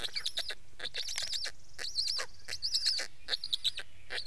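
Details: Black stork: a string of harsh, wheezy bursts, each overlaid with a high whistled, wavering tone, coming irregularly about once a second against a low background rumble.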